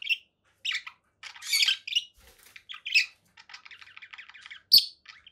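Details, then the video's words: Conure parakeet making isolated short squawks and chirps, a longer scratchy burst, a soft rapid buzzy chatter, then one sharp loud squawk. "7 hours of relaxing conure parakeet sounds"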